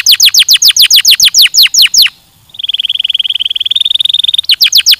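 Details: Canary song in tours: a long series of rapid descending notes, a short gap, a steady rolling trill, then more falling notes to finish.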